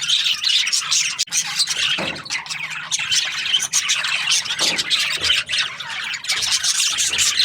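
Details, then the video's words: Breeding pairs of budgerigars in an aviary produce a noisy mix of rasping squawks and rapid high chirps, the flock chatter broken by a few brief dips. "Happy budgie chirping sounds"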